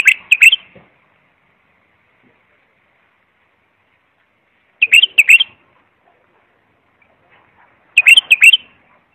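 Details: Three short, liquid bulbul phrases arrive about four seconds apart. Each is a quick run of bright chirped notes, offered as tutoring song for young or non-singing bulbuls.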